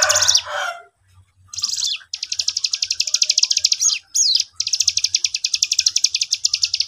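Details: Young cigun lure bird in full voice, with an untrained cigun responding: a harsh, descending scratchy note, a pause, then long fast high rattling trills broken by one sharp swooping note.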